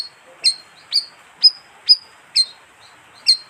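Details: Bayeman, a colonial bird, giving its lure call: six bright, high chirps with short sliding tails, spaced about every half second, against low background hiss.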